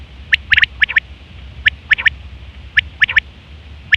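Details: Female quail call for quail hunting: crisp, high double and triple notes, each group fired off fast and repeated about every second, clean against a faint low hum.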